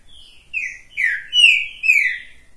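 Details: Green-winged saltator singing while perched on a person's hand: short phrases of loud, slurred whistles sliding downward, with a bright rising note near the middle and a falling final whistle, clear and unaccompanied.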